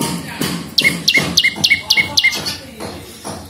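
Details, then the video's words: Prinia (prenjak lumut) song meant as a lure and master song for cage birds: a short burst of six to seven clipped, high chirps in quick succession, framed by a murky, noisy background. "SUARA BURUNG PRENJAK LUMUT GACOR !! PANCINGAN BUNYI"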